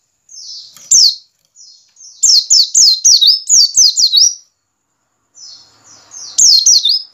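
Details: White-eye lure recording in ngiriwik style for caged birds: one faint thin note and one sharp note, then a rapid series of about eight high, falling whistles, a pause, and a final short burst.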